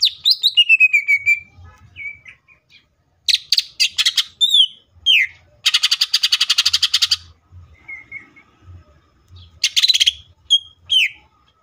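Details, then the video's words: Green leafbird in energetic varied song: descending whistled slurs, dense buzzy rattling trills, sharp chip series and short whistles, alternating with brief pauses; faint low hum beneath. "CUCAK IJO FULL TEMBAKAN❗MATERI BANYAK MANA MUNGKIN IJO KALIAN TIDAK IKUT GACOR!"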